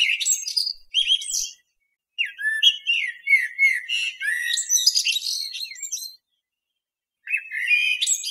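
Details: Common blackbird delivering rapid phrases of sharp chirps and thin, sliding twitters at a brisk pace, separated by short silent gaps.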